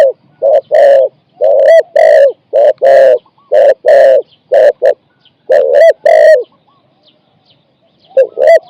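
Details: Captive spotted dove singing in a decoy trapping session, with phrases of 4–5 coos. Rich, hollow notes fall into groups separated by short gaps, then a quiet pause and a fresh pair of coos.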